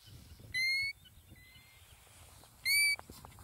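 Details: Icelandic European golden plover giving two loud, pure, gently upslurred whistles about two seconds apart, with a softer, more distant whistle between them over quiet background.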